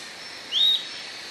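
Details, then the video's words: A single upslurred whistle from an Atlantic royal flycatcher, rising smoothly and holding briefly before ending, over a faint steady high hum. "Canto da MARIA-LEQUE-DO-SUDESTE"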